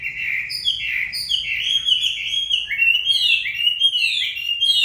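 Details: On a very cold day a Chinese hwamei sings continuously, pouring out rich, rapid, varied whistled phrases that bounce up and down in pitch without a break.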